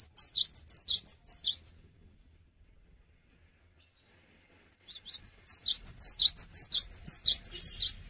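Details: A cinereous tit singing vigorously without hopping, its song said to get other tits singing soon; two rapid, regular runs of loud, high, downslurred chirps separated by about three seconds of silence.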